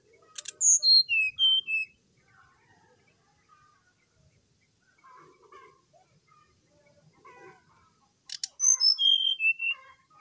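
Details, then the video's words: Brown-chested jungle flycatcher singing in the morning as a prompt for another bird: two loud phrases of clear descending whistles, each opened by a short rasp, separated by several seconds of faint chattering notes. "SIKATAN RIMBA DADA COKLAT GACOR DI PAGI HARI ,PANCINGAN SRDC"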